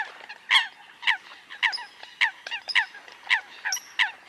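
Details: Eurasian coot: loud, abrupt, nasal honks spaced about half a second apart, with a faint high whistle from another bird near the middle.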